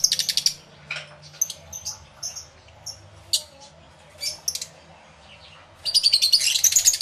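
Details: Lovebirds in an aviary, recorded with a camera and two external microphones. A quick burst of shrill chirps opens the clip, scattered single squeaks follow, then a dense chattering burst closes it.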